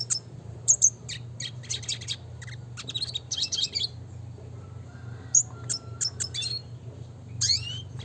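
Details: Singing red siskin of the classic type, quick high twitters and a buzzy trill, then scattered sharp notes, a soft low whistle and a rising slur near the end; background hum.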